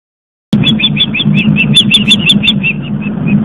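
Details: Osprey fledgling back at its nest on Long Island, New York, from a live nest camera, with people walking by: a steady series of short, high piping chirps, about four a second, over a loud low rumble.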